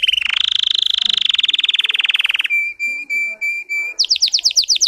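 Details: Russian canary bred for singing performs a varied song: a fast buzzy trill of rapid repeated notes, then long pure whistled tones repeated evenly, ending in quick descending chips.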